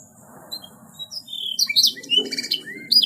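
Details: Canary song in gacor style. It starts with scattered faint high notes, then swells into quick buzzy trills and short rising and falling whistles in the second half. A murmuring low background noise is audible.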